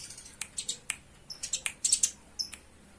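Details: Fighting Eurasian tree sparrow: sharp, clipped chirps, some single and some in quick clusters, with thin high squeaks between them.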